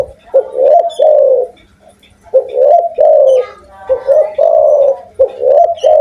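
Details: Spotted dove in strong voice, repeating hollow, throaty coo phrases three times with short breaks between them, over a faint steady hum.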